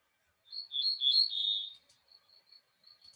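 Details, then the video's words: Ortolan bunting song, plaintive in tone, which peasants rendered as "blé, blé, blé les murs": a short run of clear, slightly buzzy notes near one pitch, then a few fainter repeated notes. "Ça, c'est le chant de notre bruant ortolan, un chant assez plaintif."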